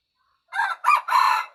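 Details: Wild red junglefowl crow: three raspy, harmonic bursts over about one second, the last the longest and held steady, against a silent background.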